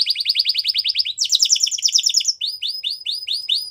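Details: Spanish Timbrado canary song for training, opening with a rapid series of identical high chirps, shifting to a dense rolling trill, then slower upswept whistled notes in steady rhythm.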